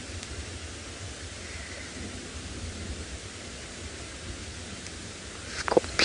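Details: Steady broadband hiss of wind and outdoor noise, ending in a few sharp rustling knocks, with no animal voice heard.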